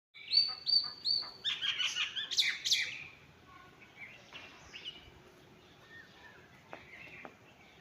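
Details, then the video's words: A myna gives three quick upslurred whistles, then a burst of harsh, chattering notes, followed by softer scattered whistles fading away. "Cute myna sound"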